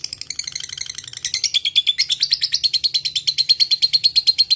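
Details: Lovebird kept as a single fighter, in fighting mood, delivering long ngekek chatter: rapid scratchy high notes that build in loudness after a softer start, then settle into a steady, piercing, repeated rattle.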